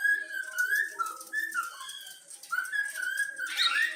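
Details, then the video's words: Pet yellow-cheek cockatiel youngster repeating the Flamengo anthem it was taught: a mellow, lower whistled phrase with wavering notes, ending in a short harsh, scratchy burst. "Bochecha amarela cantando o hino do flamengo"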